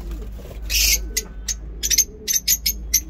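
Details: Lovebirds in a home aviary setup with breeding and normal pairs give sharp, high shrieky chirps, a burst near the start then a rapid run of short repeated notes over a low room hum.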